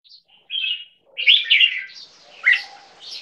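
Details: Caged two-year-old crossbreed of Asian black bulbul and red-whiskered bulbul from a Thai competition bloodline: brief bright chirped phrases, a thin whistle, then a loud burst of rapid warbling notes and a sharp rising chirp.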